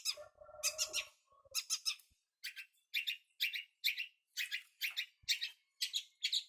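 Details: Learning young long-tailed shrike repeats a harsh, squawking high note roughly once or twice a second, each a short rasp, after an opening mix of buzzy lower tones; quiet background.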